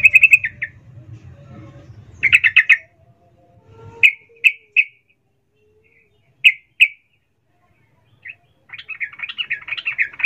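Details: Female sooty-headed bulbul calling a male in emotional ngecuplik fashion, used to provoke lazy males; scattered sharp single chirps and short clusters, ending in a rapid chattering phrase, background quiet apart from early hum.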